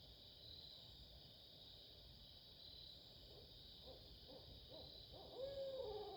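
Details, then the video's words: Barred owls hooting: a rising run of low, rhythmic hoots that swells toward the end and finishes in a longer, drawn-out hoot that slides downward. A continuous high-pitched insect drone sounds in the background. "Barred owls"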